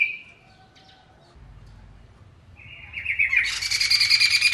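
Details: Masked laughingthrush: a short whistled note, a quiet gap, then a rising run of notes building into a loud, harsh, rapid rattling chatter.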